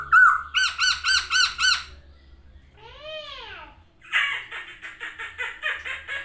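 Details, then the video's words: Masked laughingthrush in full song with wings spread, opening with six loud, evenly spaced nasal notes, then a single arching whistle and a fast chattering run of rough repeated notes. "burung poksay hongkong gacor buka sayap"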